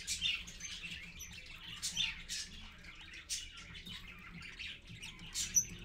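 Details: A parakeet family, parent and babies, heard at 6:20 AM on 4.1.15 via a live stream; sparse raspy chirps and squawks separated by brief gaps, with a couple of thin high whistles.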